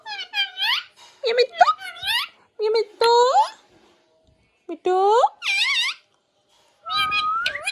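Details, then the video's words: A green parrot speaks clearly in short, squeaky, high, nasal, childlike phrases, saying "Mia Mithu, chori khani hai" a few syllables at a time with pauses between. "Mia Mithu Chori khani hai speaking clearly"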